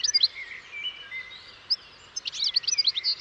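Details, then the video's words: European goldfinch giving scattered sweet chirps and a thin whistle, then a lively burst of rapid tinkling twitters toward the end. "O canto do PINTASSILGO/GOLDFINCH SONG"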